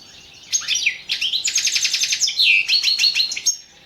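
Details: European goldfinch singing in a competition entry recorded for an internet world championship in goldfinch song, 2017: rapid, liquid twittering phrases with buzzy trills and high tinkling notes, delivered in dense bursts for about three seconds, little background noise.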